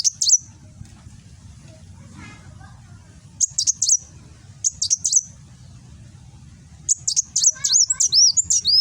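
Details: Kolibri wulung sunbird singing in the rapid nembak style, recorded on an Android phone in Gresik, East Java: bursts of very high, sharp chirps and downslurred whistles in quick clusters, separated by pauses, over faint low hum.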